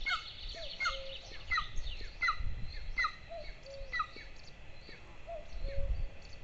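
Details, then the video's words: Two golden eagle chicks at their Lahemaa, Estonia nest on 22 June 2024, recorded by nest camera at feeding time: rapid run of falling chirps, while a low two-note call repeats in the background and wind rumbles. "СНІДАНОК БЕРКУТ. ГНІЗДО. ЛАХЕМАА. ЕСТОНІЯ 22-6-24 - TWO CHICKS GOLDEN EAGLE. NEST. LAHEMAA. ESTONIA"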